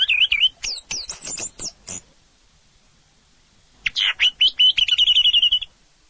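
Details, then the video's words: Orange-headed thrush singing: a series of clear, varied whistled phrases sweeping high and low, a pause, then loud slurred notes that run into a fast, even trill held at one pitch for about two seconds. "SUARA BURUNG ANIS MERAH"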